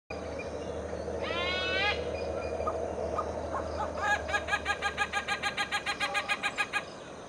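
Sri Lanka grey hornbill giving a brief harsh rising call, then a rapid run of about fifteen sharp, even cackling notes over a steady background hum.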